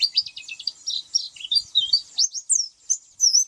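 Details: Oriental white-eye singing a rapid, high-pitched twittering song of quick chirps and slurred whistles with almost no pauses, a few brief low clicks in the background.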